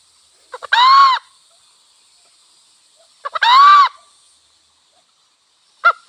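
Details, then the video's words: Red junglefowl, wild hen and cock, giving two loud, drawn-out harmonic calls about two and a half seconds apart, each led by short clucks, then a brief clucking burst at the end. "Sound of wild hen and cock"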